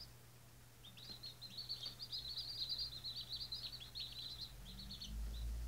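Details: Day-old White Australorp chicks give a dense run of high, quick peeps that swell in the middle, with a low steady hum and rumbling noise underneath.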